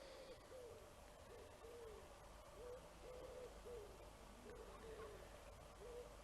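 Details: A common wood pigeon gives soft, low, hooting coos in a steady rhythmic phrase, heard from a canal towpath near Blisworth village on 9 August 2007.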